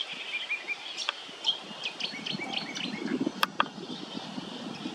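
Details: A grey fantail at Burrum Heads, Queensland, gives thin, high squeaky chips and short twittering notes scattered through five seconds over a low background rumble.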